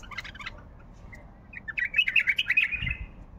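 A bulbul sings a rich, varied run of bubbling, warbled phrases around mid-to-high pitch, starting with a few scratchy chirps; faint low background rumble.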